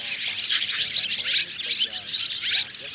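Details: Flock calls of swiftlets and swallows, a mix of white-bellied, striped and grey-brown types, played to gather the flock into a thicket to roost; dense high chattering and twittering throughout, with faint voices murmuring underneath.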